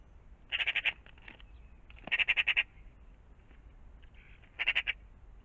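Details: Magpies at a pond in the morning: three separate harsh chattering bursts, each four or five rapid rasping notes, spaced over several seconds with softer scratchy sounds between.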